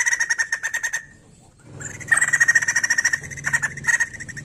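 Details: White-crested laughingthrush in lively, energetic song, used to stimulate other birds of its kind to sing: rapid pulsed chattering notes repeated in bursts, with a short pause before another long rattling series.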